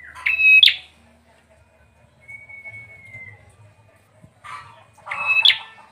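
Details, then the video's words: Bar-winged prinia giving two bursts of sharp, high, scratchy chirps about five seconds apart, with a thin steady whistle in between. "Kicauan burung peranjak atau juga di sebut burung ciblek."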